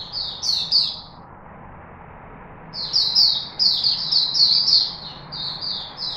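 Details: Chickadee in Singapore, 4 March 2021: a short burst of sharp descending chirps, a quiet gap of nearly two seconds, then a longer rapid chain of bright notes, with a low hum beneath.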